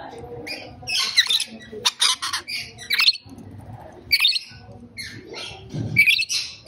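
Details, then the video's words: Rainbow lorikeet giving harsh, broadband screeches in short bursts, several loud squawks spread across a few seconds with quieter chatter between them. "Rainbow Lorikeet Bird Sound"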